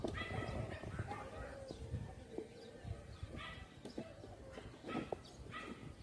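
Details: Crows (uwak) at Bantay Mainit, Barangay Maligaya, Dipaculao, Aurora: several harsh, nasal caws in short bursts near the start, middle and end, over a low rumbling background with scattered knocks and faint other noises.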